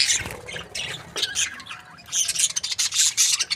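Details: A happy breeding pair of budgerigars chirping: dense bursts of harsh, scratchy, high-pitched chatter and squawks in rapid clusters, with a brief lull near the middle before the chatter resumes more loudly.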